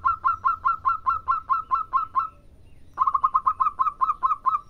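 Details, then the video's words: Zebra dove, local bird, singing briskly: a run of about eleven even, ringing coo notes, a short pause, then a faster second run. "Masteran tepat Perkutut Lokal Gacor CEPAT"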